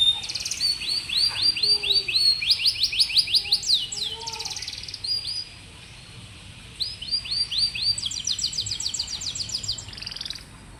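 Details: Canary singing as training material for young, rarely singing canaries: bright high rolling trills of quickly repeated notes, a short silent pause, then another fast rattling trill series and a closing whistle, against low steady hiss.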